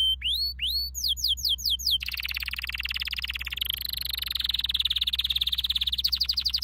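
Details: Canary training song opening with upward-sweeping whistled notes, then bursting into a dense buzzy trill held for several seconds before a fresh series of rising notes; steady low hum beneath.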